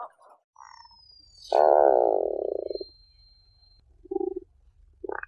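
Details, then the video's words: Tufted puffin (Fratercula cirrhata) giving a deep, rasping groan lasting over a second that trails off, followed by a few short, low grunts. "Tufted puffin sound and call"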